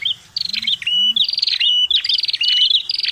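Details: Red-headed prinia (prenjak kepala merah) lure call: buzzy rattling trills with whistled notes, plus two soft low rising-falling tones near the start, over a faint hum.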